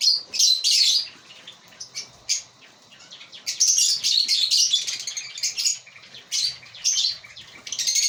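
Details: Breeding colony of African lovebirds; bursts of high, scratchy chirping and squeaky twitter come in bouts of one or two seconds, broken by short quieter gaps.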